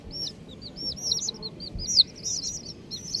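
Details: Baby chickens in bright colours chirping. Clear, high, arching peeps tumble over one another, with one sharp louder cheep standing out near the middle.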